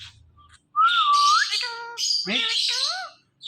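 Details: Imitating ring-necked parakeet: a clear whistle curving upward, then steady stacked tones and a rough, squawky run of sliding notes, like garbled talking.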